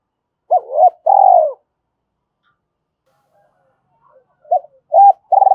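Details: Decoy spotted dove cooing to call in and lure other doves for trapping. Low, hollow coos: two short notes, then a longer drawn-out coo, a quiet pause of about three seconds, then a fresh run of short coos. No other sounds.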